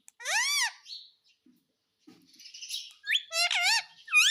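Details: Pet Indian ringneck parakeet calling indoors: loud harmonic rising-falling squawks near the start, a soft pause, then a run of strident arched screeches and upswept whistles toward the end.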